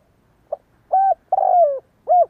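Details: Spotted dove giving one kích bổi coo phrase, as used to train decoy birds: a faint short note, a steady coo, a long slurred coo sliding downward, then a rounded closing coo.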